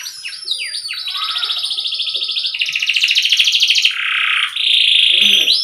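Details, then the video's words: Non-dominant canary song meant for tutoring young or stuck canaries: opening falling whistles give way to long, rapid, rattling trills that shift lower step by step, ending in a bright sustained trill, with a low steady hum. "SUPER JERNIH ‼️ UNTUK MASTERAN KENARI PAUD/MACET.SUARA TIDAK DOMINAN BAGUS UNTUK MENINGKATKAN MENTAL"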